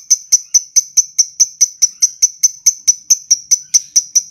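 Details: Lovebird ngekek panjang, long chattering meant as training audio for other lovebirds: crisp, high, clicky chips repeated evenly about four to five times a second without a break.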